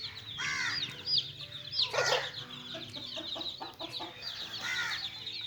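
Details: Chickens: little chicks at play, a flock giving continuous shrill peeps, each a short downward-sliding whistle, packed tightly together, with a few louder, fuller chirps standing out and soft clucking underneath.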